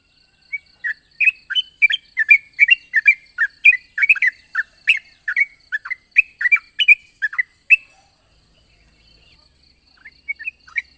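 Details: Yellow-vented bulbul in the morning, giving the long 'ropel' song used to lure and trigger other bulbuls; varied clear chirps, some rising, come in an uneven rapid series for about seven seconds, then a pause and a few softer notes.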